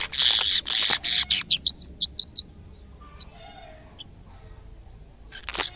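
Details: On first seeing a camera, a caged canary pours out a loud, buzzy rolling trill, slows into a run of crisp repeated chips, falls mostly quiet, then starts trilling again.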